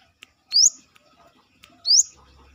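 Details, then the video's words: Brown-throated sunbird, locally Kolibri kelapa, singing outside its cage: two bright, high upslurred notes about 1.3 seconds apart, with small ticks and clicks around them. "KORLAP (Kolibri kelapa)Manggar gacor luar sangkar"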